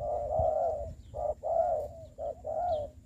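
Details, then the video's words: Spotted dove used as a decoy bird for trapping in Dong Nai, Vietnam, during the Covid-19 season: a series of soft, hoarse coos, some drawn out and some short, repeated about once a second, with low rumbling background noise. "bẫy cu gáy cùi bắp clip17(bẫy cu gáy mồi đất ) đánh cu gáy"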